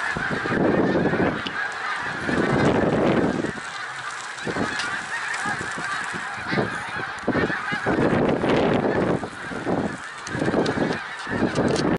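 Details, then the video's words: Middle Creek Wildlife Refuge, Pennsylvania, 1 March 2021: the high, steady honking chorus of a snow goose flock, repeatedly swamped by loud gusts of wind or rushing wings in several strong bursts. "March 1 2021 Snow Geese Middlecreek Wildlife Refuge pa."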